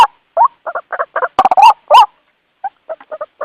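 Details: Calls of a white-breasted waterhen summoning companions, as a lure: a few clucks, then a cluster of loud rasping croaks rising in pitch, then a quieter tail of spaced clucking notes.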